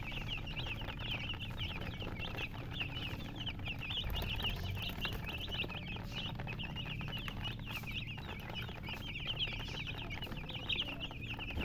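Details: A crowd of young chicks keeps up constant high peeping, short quick notes tumbling over one another throughout, above a low rumbling hum.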